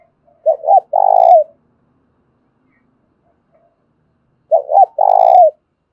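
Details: Spotted dove used as a lure, giving a thổ pha-style fighting call: two quick, hooked coo notes, then a long, buzzy, pulsed coo that slides down at the end. The phrase comes twice, about four seconds apart, with silence between.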